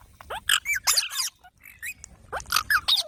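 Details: Several short, scratchy squeals from baby parrots, irregular and overlapping, with a brief lull midway before another burst of calls.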